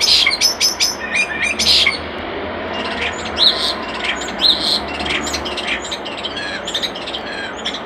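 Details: By a nest box a common starling delivers rapid clicking rattles, then a dense jumble of squeaky chirps, whistles and chatter.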